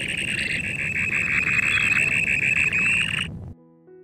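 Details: A UK dunlin gives a dense, buzzy, high-pitched purring trill held for about three seconds before it stops abruptly; a faint tonal note follows.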